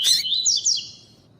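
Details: Double-collared seedeater singing in the tui-tui style while a female calls to excite the male: a harsh opening note, then quick high upslurred whistles fading into a thin buzzy tail over about a second.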